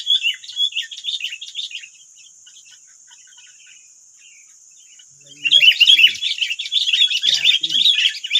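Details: Sooty-headed bulbuls, nine wild birds facing one decoy bird in West Lampung, Indonesia: a busy run of sharp chirps fades into quiet, then an excited, rapid chatter of harsh, overlapping notes bursts out again.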